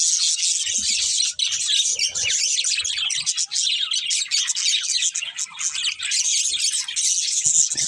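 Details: Several pet budgerigars chirping together: a dense, continuous wash of high, scratchy twitters and rapid chattering notes with no pauses, overlapping throughout.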